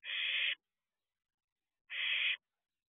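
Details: Barn owl owlet at a nest box before dawn, 2 June 2023; two loud, noisy half-second hisses separated by over a second of silence.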